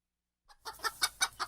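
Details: Chicken clucking: five short, throaty clucks in quick succession, roughly every fifth of a second, after a brief faint note, with nothing else audible.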